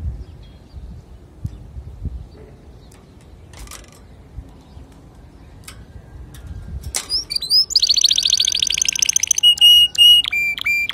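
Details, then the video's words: Male canary song meant for teaching young canaries. Several seconds of near silence with faint clicks, then a sudden loud, fast, high rolling trill that shifts into clipped repeated notes. "تغريد ذكر كناري صافي لتعليم صغار الكناري"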